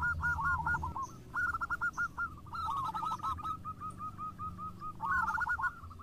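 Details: Several local zebra doves sing in turn: clipped, purring coo phrases follow one another closely, some louder and some softer, with low background rumble.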